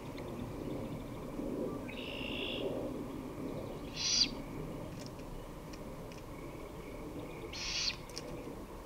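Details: Great horned owl recorded 23 May 2018, 5:53 pm, uttering rough, hoarse screeches, a softer one followed by two louder hissing bursts at about three-to-four-second intervals, with low background noise throughout.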